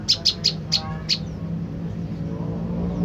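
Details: Brief olive-backed tailorbird lure: five sharp, high chipping notes in the first second, slightly uneven in spacing, then only a low hum and faint background noise.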